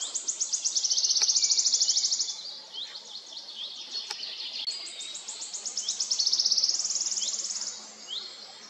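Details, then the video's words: Wood warbler singing: two long accelerating shivering trills of rapid high ticking notes, each swelling then fading, with softer scattered notes between and a few clicks. "Fluiter zang"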